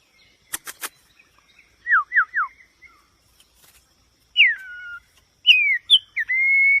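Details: White-rumped shama giving a few sharp clicks, three short descending whistles, then longer sweeping downslurred whistles and a sustained clear note, with a quiet background.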